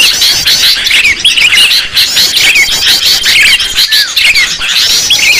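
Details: Noisy lure of sooty-headed bulbuls calling together: a thick wall of high chattering and squawky notes, broken by frequent short whistled slurs and sharp chirps roughly once a second, keeping constant loudness the whole time.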